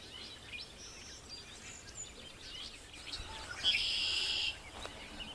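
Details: Red-winged Blackbird, one of several around lily pads at a pond in Bald Eagle State Park, Pennsylvania, on a foggy morning, gives a harsh, buzzy rasp of about a second after a few thin, high chirps, over soft outdoor background noise.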